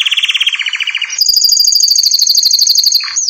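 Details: Belgian canary singing: a fast rolling trill of rapid notes, then a long sustained high, bright trill of repeated notes with a brief lower ending.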